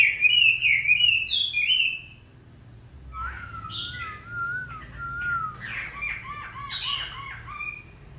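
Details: Chinese hwamei singing in the rain near the end of its moult: two seconds of loud, rich warbled phrases, then a pause and softer, thinner whistled slurs broken by choppy notes.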